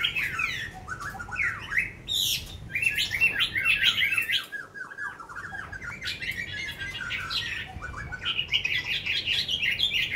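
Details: A caged Chinese hwamei, kept over a year and fairly tame, sings well after feeding: a loud, rambling stream of rich whistled phrases, quick slurred notes and sharper squeaky bits, almost without pause over a low background hum.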